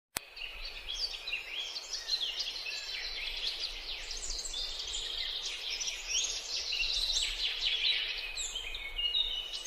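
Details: Bay-headed tanager in Bogor: a busy, steady stream of thin, high, sibilant twitters and chips with few pauses, over a faint low background hiss.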